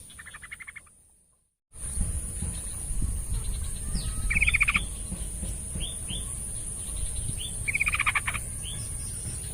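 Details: Yellow-vented bulbul song played as a lure to prompt a reluctant bird into singing: short bubbly, liquid warbled phrases in brief bursts separated by pauses, over steady low rumbling background noise and a constant high electronic whine.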